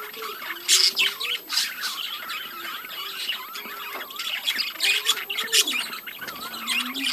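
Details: Budgerigars in a breeding colony, many birds chattering at once: dense warbled twitters and squawks, with wavering lower notes beneath the constant high chirping.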